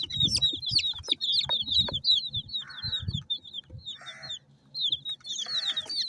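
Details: Multi-coloured domestic hen chicks feeding, giving dense, high, downslurred peeps in a continuous overlapping chorus, with short lower rasping bursts in between and soft low thumps and pecking noises underneath.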